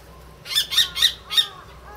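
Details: Rescued common kestrel from Kichijoji, housed at Tama Zoo and recorded in April 2016, uttering four shrill, harsh, closely spaced notes in a short ringing burst.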